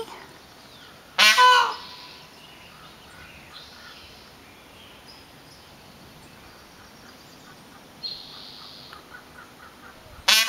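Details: Peacock perched in a tree in Soquel, California, giving a loud, harsh, honking call with ringing harmonics lasting about half a second, then a long quiet pause before a second loud blast begins at the very end.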